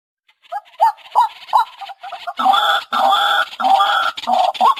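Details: White-breasted waterhen calling, a lure recording for hunting: a few short hooked notes build into loud, harsh, blaring croaks in quick bursts, each with a low grunting undertone.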